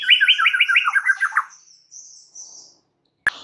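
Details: White-rumped shama song used as a stimulus for stressed birds: a rapid, rattling trill of doubled notes lasting about one and a half seconds, then faint high hiss and a click.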